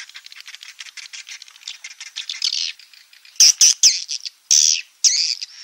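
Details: Roosting call of swiftlets meant to draw them into a three-storey house: fast soft ticking chirps build into a twittering run, then loud, shrill squeaky bursts with short gaps.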